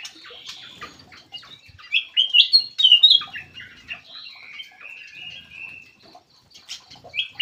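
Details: Black-crested bulbul lure call: a busy stream of bright chirped and slurred whistles, loudest in the middle, with softer twittering at the start and end.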